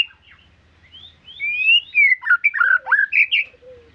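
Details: A shama delivers rich whistled song: soft notes, then a long rising whistle followed by loud tumbling warbled phrases varying in pitch.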